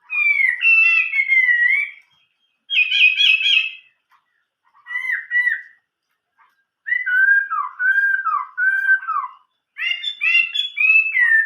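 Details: Chinese hwamei singing its old-forest style song: long bursts of loud, varied, richly modulated whistles and trills, some falling and some repeated in quick triplets, separated by short pauses.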